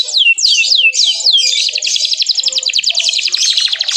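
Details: Canary chirping to provoke other canaries: several loud downward-swooping whistles followed by a long fast rattling trill of repeated notes.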